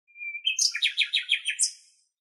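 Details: Common nightingale singing in Greek nature: a thin, steady whistle, then a rapid run of about six buzzy, repeated notes, ending in a short, very high note.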